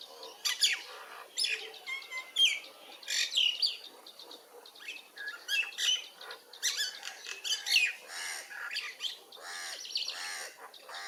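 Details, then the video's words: Myna chirping in a busy series of harsh, squawky notes and sharp whistled chips, with bursts every second or so and overlapping calls through the stretch. "Mynah bird chirping sound"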